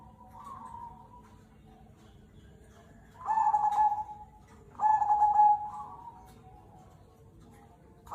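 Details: Zebra dove, local Cemani Kolbuntet type, singing vigorously as a prompting song for other doves: two loud rolling coo phrases about a second and a half apart, each with softer trailing coos, over a faint low hum.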